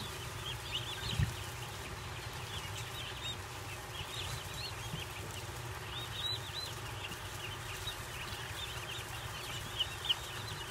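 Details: Newly arrived baby turkey poults at a farm, a group chirping continuously: thin, high, rapidly repeated peeps that overlap throughout, over a low steady background rumble, with a brief knock near the start.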